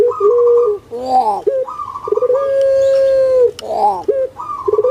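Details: Repeated phrases from an Indonesian pet puter pelung spotted dove: quavering rolled coos alternate with a long steady middle note, the sequence cycling roughly every two seconds.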